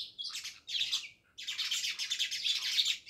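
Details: A flock of house sparrows near a Jamnagar village house chatter almost nonstop, high chirps crowding into one long noisy run after a brief pause.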